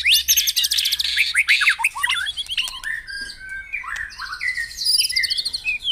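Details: White-rumped shama in morning dew-bathing song, aimed at making caged birds sing: an opening burst of fast ringing notes, then sliding whistles and drawn-out high tones, with a soft low hum at the start.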